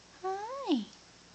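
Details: Indoors, a captive Bare-eyed Cockatoo, a year-old female, says a single drawn-out "hi". The harmonic note rises, then slides sharply downward and ends in a rough, breathy tail.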